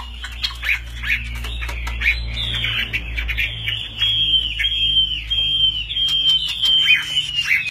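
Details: Caged Chinese hwamei, a good fighting bird displaying with high wing play, gives long sweeping whistles and rapid rolling warbles that build in loudness toward the end. A low hum sounds in the background.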